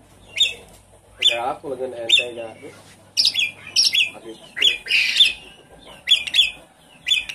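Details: Javan pied starling song as a lure for a caged bird that stopped singing: sharp, scratchy chattering notes repeated in clusters, with a run of lower nasal, croaking squawks early on.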